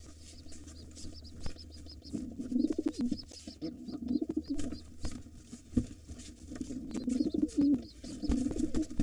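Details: Low rumbling pigeon coos rise in waves over several seconds as a gray wild pigeon tries to take over an occupied nest with two nestlings and the white father fights it off. Faint high peeps repeat and a low hum runs underneath.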